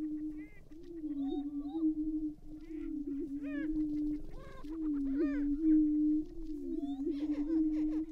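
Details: Several male greater prairie-chickens displaying at an April lek in northwest Minnesota near Glacial Ridge refuge: a continuous low droning boom wavers steadily, broken by sharp upswept whoops and occasional cackling bursts.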